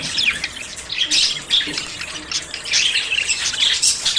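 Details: Several budgerigars in courtship, ready to breed: busy high twittering with harsh squawks and quick rising and falling warbles, bursts swelling and fading over a steady chattering background.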